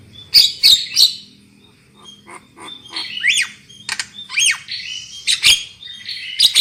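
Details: Black-winged myna lure song for prompting loud singing: sharp harsh squawks, then whistled notes that swoop up and down, followed by more rasping bursts.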